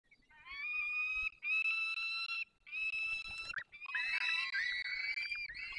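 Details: Peregrine falcons in the Barycz Valley on 3 May 2024: a parent pair feeding chicks at the nest. Loud, harsh, wailing calls come in long drawn bursts with brief gaps, then shift into more chaotic overlapping squeals.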